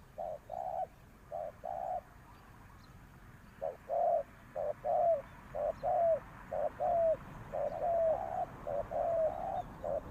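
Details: Decoy spotted dove at a ground trap, calling wild doves in with a long run of mellow coos, short notes alternating with drawn-out slurred ones, almost one per second, fairly even rhythm.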